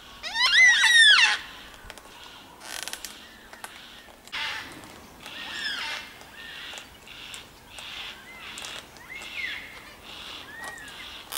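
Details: A yellow-tailed black cockatoo from a flock of about 20, in the bush on Phillip Island, Australia, in September 2016, gives one loud, drawn-out, wailing screech, followed by fainter, similar wails from other birds farther off.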